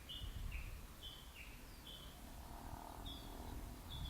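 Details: Japanese bush warbler giving its valley-crossing call (tani-watari), recorded on a handheld camera with telephoto lens: short clear notes in paired high-low steps, repeated about every half second, over a steady low background rumble.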